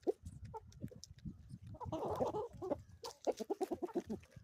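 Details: Chickens on an Ozarks homestead in the morning, a flock giving short clucks and a longer squawk-like call, then a quick run of repeated clucks near the end, with low rustling and scratching beneath.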